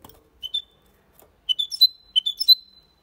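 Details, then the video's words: Caged male goldfinch × canary hybrid singing clean Malaga-style song without errors: a short opening note, then two quick bursts of bright high chirps and trills, each ending in a sustained whistled tone, in otherwise quiet surroundings. "Mixto de Jilguero Cantando Limpio (Video HD)Mulet de Chardonneret X canari /hybrid goldfinch singing"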